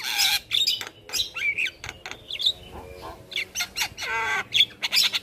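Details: Javan myna singing on a master recording for other cage birds: scratchy squawks and buzzy bursts interleaved with rising and falling whistles, including a strident descending harmonic squawk near the end.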